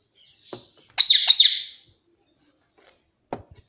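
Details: Pet Alexandrine parakeet (pahadi parrot) calling indoors: two loud, bright, harsh notes in quick succession, preceded by a faint click and followed by soft tapping sounds near the end.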